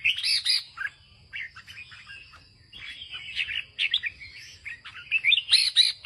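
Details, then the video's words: Red-whiskered bulbul kept by a farmer, singing in the northern ché style: quick bursts of bright chirpy, warbled notes, some rising and falling, run into dense phrases, over a steady high faint whine in the background. "Chào mào của ông nông dân hót ché đẳng cấp miền bắc"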